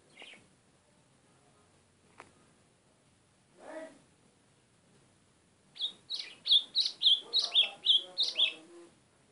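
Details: A white-throated seedeater (golinha) gives a few scattered notes, then launches into a rhythmic string of about eleven bright, high chirps, each slurred downward, in the last few seconds.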